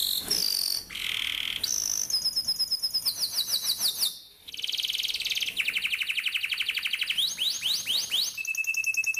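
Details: Canary training song for young birds: varied phrases of buzzy notes, fast trills and sweeping chirps in quick succession, one short pause midway, ending on a pure steady whistle.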